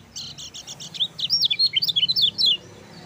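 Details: Gacor lemon-bellied white-eye, sung as a master to rouse other birds: buzzy high trills at first, then a fast sequence of clear, sharply dipping whistled chirps, all over a steady low hum.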